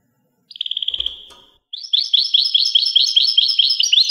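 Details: European goldfinch singing: a short, rapid series of identical clipped notes fading into a thin whistle, a pause, then a lively tinkling twitter of repeated chirps at about two per second, clear and close.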